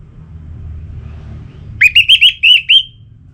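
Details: Orange-headed thrush song, played to provoke kept birds into singing: a quick run of six clear, slightly rising whistled notes, evenly spaced over about a second, over a low hum of traffic rumble.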